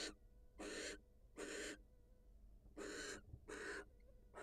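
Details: Barn owl, wild, female leaving her nest to greet her mate; rasping, hissing screeches in quick irregular succession, about five in four seconds, over low background hum.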